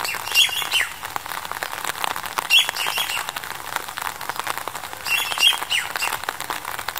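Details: Masked Laughingthrush in February 2021 giving harsh, scratchy chattering that runs continuously, with brief high chirps standing out about every two to three seconds.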